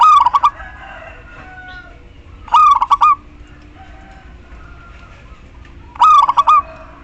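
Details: Local zebra dove, a female calling to the male, repeats a rapid pulsed cooing phrase three times at irregular intervals of roughly three seconds, with soft background bird chatter in between.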